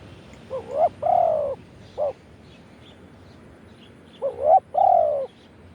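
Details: Wild spotted dove in Thailand delivering 'khan yon' crowing. A phrase of quick rising notes, a long mellow coo and a short coo is heard, then after a pause of about two seconds the same phrase repeats.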